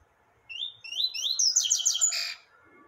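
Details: Rusty-collared seedeater song: a few rising whistled slurs accelerating into a dense, buzzy, high-pitched trill lasting about a second before stopping.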